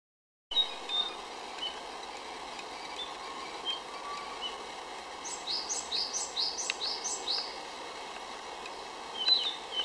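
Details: A Narcissus flycatcher sings a quick lilting run of about five bright, rising whistled notes, with softer Japanese tit calls and a steady hiss, in a Saitama forest on 6 May 2011.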